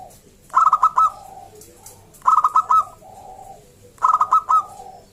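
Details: Zebra dove of local stock, a lively singer whose song is used to coax other zebra doves to call; three bright pulsed coo bursts, each trailing into a lower drawn note, repeat roughly every 1.7 seconds.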